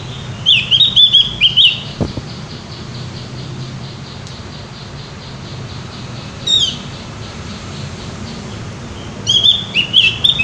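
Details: Javan white-eye singing in a lively, loud manner: bursts of high, thin chirping notes near the start and end, separated by several seconds of quiet with a low background hum.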